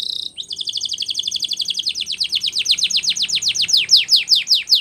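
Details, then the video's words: Canary singing for training, a brief high note and then a long accelerating series of falling sweeps that slows into spaced, louder slurred notes, faint low rumble underneath. "Canary's Most powerfull Song For Training"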